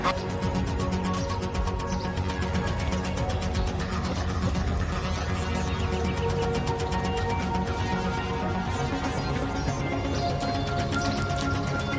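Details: Continuous layered music with sustained tones and a steady low rumble; no animal voice is heard.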